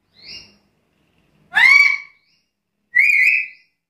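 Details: Black-capped lory giving three loud whistled calls: a faint high note, then two strong harmonic whistles sliding up and flattening near the top, about 1.4 seconds apart, in an otherwise quiet setting.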